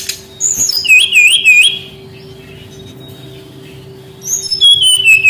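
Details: Brown-chested jungle flycatcher song used to lure young wild-caught birds into singing. A wavy, trilled whistle phrase is followed by a pause, then a long, descending clear whistle, with a continuous low hum underneath.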